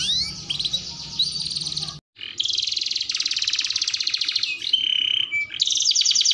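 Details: Canary song used as a lure to prompt other canaries to sing: long, rapid trilled tours of repeated notes high in pitch, a brief silent break, then dense buzzy rolls and a few clear whistled notes, with faint low background hum.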